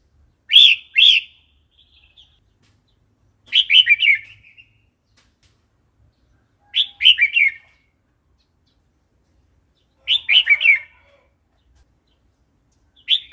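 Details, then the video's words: Red-whiskered bulbul in wild-style song for training young and newly caught birds: short bright warbled phrases of three to four liquid notes, repeated about every three seconds with silent gaps. "เสียงนกกรงหัวจุก เพลงป่า"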